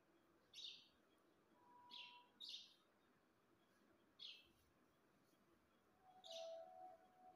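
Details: Pet parrot giving five short, bright, chirpy calls in the upper range, spaced irregularly about one to two seconds apart, with a faint low hum in the background.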